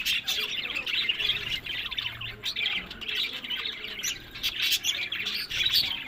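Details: Pet budgerigars kept for breeding, chattering together in a dense, continuous wash of scratchy chirps and squawks with no pauses.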